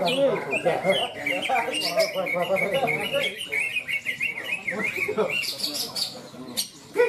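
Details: Greater green leafbird (cucak ijo) at a singing contest in Malinau, North Kalimantan, Indonesia, pouring out fast varied chirps and warbled notes; applause, music and an announcer are heard around the competing birds.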